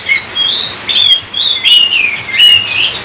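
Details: Oriental magpie-robin song: a soft opening whistle, then after a short pause a loud run of mixed whistles, chirps and buzzy notes.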